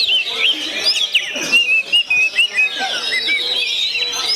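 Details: Oriental magpie-robin of the kind called kacer gondo mayit, singing a busy, varied song: clear short whistled notes, some rising or falling, a run of separate whistles near the middle, over continuous high, chattering twitters and trills.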